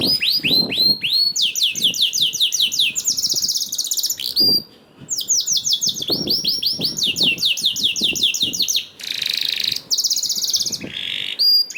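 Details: Long canary lure song to encourage other canaries to sing, mixing fast high trills, buzzy rolled phrases and short pauses, with faint low thumps underneath.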